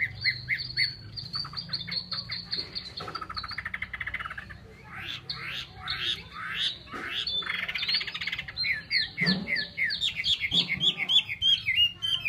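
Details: Chinese hwamei singing at length: repeated high whistled figures, a buzzy trilled stretch, then strong swooping slurs and rapid chattering phrases, with a couple of soft knocks in the background.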